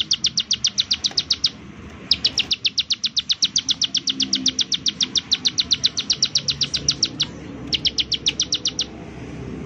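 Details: Bar-winged prinia giving its 'nembak' call, used as a lure to get other prinias singing: rapid, sharp, high descending notes, about six per second, in three bursts split by brief pauses, over faint low background rumble.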